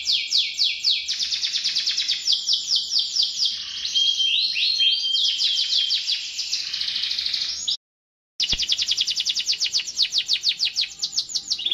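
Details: Continuous canary song of loud, rapid rolling trills and chirps, with a brief break of silence before the fast trilling starts again.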